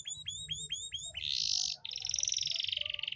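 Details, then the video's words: Canary singing meant to stimulate breeding in hens that are slow to mate: a row of repeated upslurred chirps, a harsh buzzy burst, then a long fast rolling trill, with faint background hum. "Suara memancing kenari betina susah kawin"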